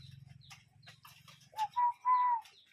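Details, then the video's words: Cuckoo calling in nature: after a low rumbling background, a short clear note is followed by two longer, steady whistled notes at a mid pitch, the last one drawn out and ending with a slight fall. "Relaxing Cuckoo Bird Sound in Nature"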